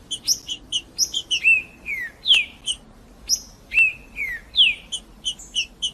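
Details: Green-winged saltator song for warming up captive birds: clusters of high chip notes followed by ringing downward-sliding whistles, the same phrase repeated about every three seconds.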